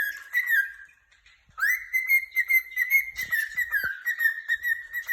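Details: A happy cockatiel chirps in a rippling, whistled warble that holds near one pitch, breaking off briefly before running on steadily, in an otherwise quiet room.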